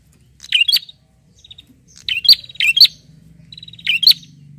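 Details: Bar-winged prinia in full voice calling out to a rival; bright squeaky high chirps in loose groups of two or three notes, separated by short silences.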